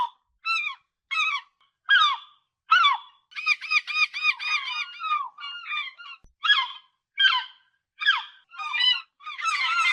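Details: Real recording of a gull: loud, sharp, downward-bending yelps repeated roughly every 0.7 seconds, broken by a rapid stuttering series of clipped notes, with overlapping harsh cries toward the end.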